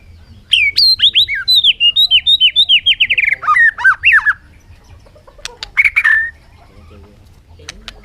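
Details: Bird song: a fast cascade of about fifteen sharp whistled notes that step steadily downward in pitch over three seconds, followed by a pause and a few scattered higher chips and a brief rasping note.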